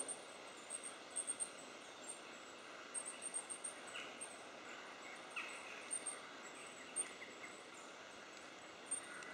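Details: A Goldcrest at Tehidy Woods, Cornwall, gives very high, thin, needle-fine calls in short bursts every few seconds, faint over a steady outdoor hiss with a few other soft chirps.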